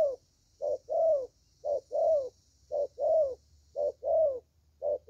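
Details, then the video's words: Spotted dove, a young bird prized for its voice, giving thổ-style cooing. Each cycle pairs a short coo with a longer, wavering one, repeated at a steady rhythm over a faint continuous high hiss. "Thổ Tơ Tốt Tiếng"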